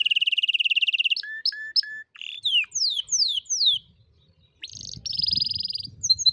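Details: Canary song for teaching young, silent canaries to sing: a rapid high trill, short paired notes, sweeping down-slurred whistles, then a brief pause and another buzzy trill with faint low rumbling underneath.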